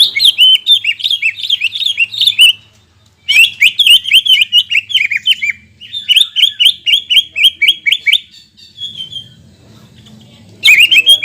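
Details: Greater green leafbird song played to stimulate birds after moulting: three long dense bursts of fast, chattering whistled notes separated by short silences, with a faint low hum.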